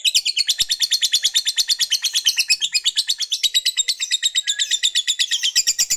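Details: Lovebird fighter singing a long ngekek to provoke opposing males: an unbroken, rapid, high-pitched chattering trill, its pulses coming about three per second, steady and buzzy throughout six seconds.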